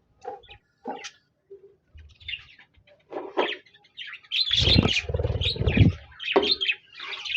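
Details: Budgerigars singing on 26 January 2024: a few isolated chirps at first, then a loud stretch of scratchy chattering warble mixed with low thumping noise.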